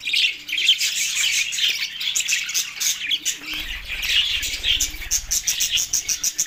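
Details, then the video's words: Budgerigars going wild for mating in Larkana, Sindh, on 9 March 2024: a continuous high warbling chatter of chirps and rasping notes, with a low hum coming in halfway through. "budgie going#matting crazy"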